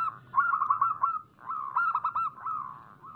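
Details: Zebra dove, local type, singing hard as a lure for other doves: two phrases of fast stuttering coos ending in a smooth, level, fading note.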